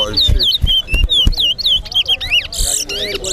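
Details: Towa towa, the chestnut-bellied seed finch, in a singing competition at Guyana National Stadium: a quick run of bright whistled notes that dip and rise, ending in a buzzy burst, with people talking underneath.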